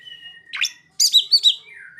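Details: Oriental magpie-robin with mimicked ciblek and sogon phrases: a thin steady whistle, one sharp chirp, then three quick looping whistled notes and a falling trailing whistle.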